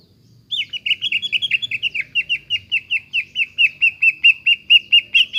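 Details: Greater green leafbird song to provoke a bird that stopped singing: a fast string of short looping whistled notes, repeated about twice a second with an even rhythm.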